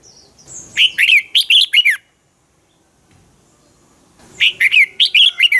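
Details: Dueling song of a red-whiskered bulbul used to provoke other birds: two rapid phrases of warbled, slurred whistles split by about two seconds of near silence.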